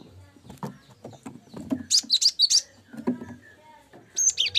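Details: Cinereous tit song used to tutor songbirds: a short burst of high, rapid notes midway and another at the end, set among busy low knocking and clattering sounds.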